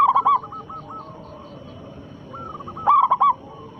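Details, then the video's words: Loud local zebra dove cooing as a lure so rival doves respond. A burst of rapid throaty coos opens, a softer rising phrase follows, then another strong rolling burst. "perkutut lokal gacor suara besar pancingan sekali putar pasti langsung nyaut"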